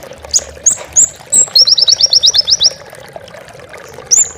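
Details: Oriental white-eye, a master recording for pet bird training: a few thin high whistles, then an evenly spaced trill of about a dozen sharp notes and one final chirp, with a low hum.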